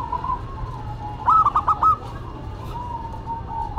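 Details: A local and a cemani zebra dove singing in duet: a short burst of four or five quick, bubbling coo notes in the middle, surrounded by faint sustained tones and low hum.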